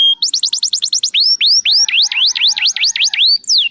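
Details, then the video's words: Canary in full song, showing its repertoire as a prompt for other canaries to sing: one short whistle, a quick run of rising chirps, then a string of loud swooping V-shaped whistles, with a final descending slur. "PANCINGAN SUARA BURUNG KENARI GACOR BONGKAR ISIAN"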